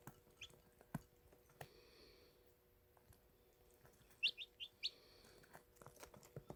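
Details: Baby chicks chirping: a quick cluster of four thin, high peeps that slide downward, following a quiet stretch scattered with soft clicks and taps, with a steady faint hum beneath.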